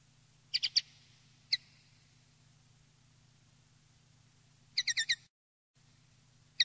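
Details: Common linnet (Linaria cannabina) song for tutoring captive linnets: brief bursts of bright, twittering notes in quick groups of three or four, spaced by pauses, over a steady low electrical hum.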